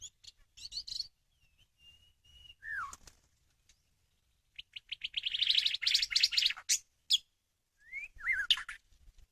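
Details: White-rumped shama song used to lure birds: scattered high chirps, a thin level whistle sliding downward, then a fast run of bright, rattling notes and a few rising whistled phrases, fairly quiet overall.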